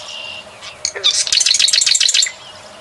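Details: Lively song of a plain prinia, a small and very vocal bird: after a few faint notes comes a quick burst of sharp, high chirping notes rattled off for about a second, then quiet.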